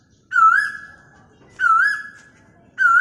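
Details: Asian koel calling, captured on a mobile phone. Three strong whistled calls each open with a short wavy flourish and trail into a flat sustained tone, spaced just over a second apart, against a quiet low rumble.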